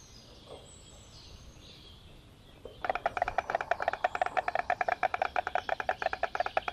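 A White Stork clatters its bill after a quiet start: a fast, dry, wooden rattle of sharp clicks, steady and rhythmic for several seconds.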